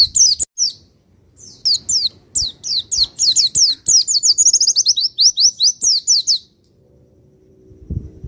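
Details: Pacitan Javan white-eye singing, played to provoke other white-eyes: long run of fast, thin, high descending chirps, uneven at first then a dense rapid series lasting about five seconds before stopping, faint low thud at end.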